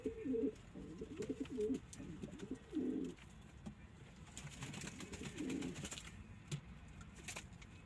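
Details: Low, bubbling coos from kept pigeons, a cluster of rolling phrases over the first three seconds, a pause, then one more coo phrase, with soft rustling behind.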